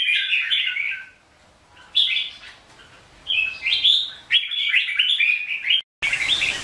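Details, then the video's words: Red-whiskered bulbul morning competitive song, used to train other bulbuls and spur them to sing: short, bright, rapidly warbled phrases of about a second each, repeated in four or five bursts separated by brief pauses. "Chào mào Luyện hót đấu mỗi sáng 30' - Căng lửa hót hay"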